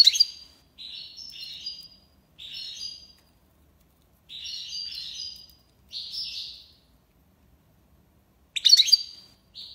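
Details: Tiwawati-style song of a European goldfinch in Algiers: short, clear twittering bursts repeated with gaps of about a second, ending in a louder, jangling flourish; otherwise quiet background.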